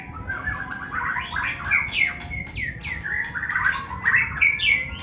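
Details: Murai batu, the White-rumped shama, one with a cataract or a formerly 'cabul' bird, delivering rough 'ngetrek' song: rapid rattles, sharp downslurred notes and buzzy trills, densely packed, with faint music underneath.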